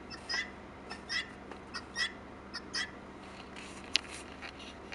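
Wild turkey giving short, raspy, high notes in a steady series about every second, with a sharp click near the end over a faint background hum.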